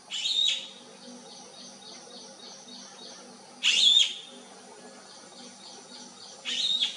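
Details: Bee-eaters looking for their flock: three short, loud, harsh chirping bursts about three seconds apart, over a low steady background hum.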